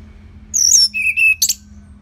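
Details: Orange-headed thrush song used to train other birds: a high slurred whistle, then a lower level whistled note, then a short harsh burst, all within two seconds.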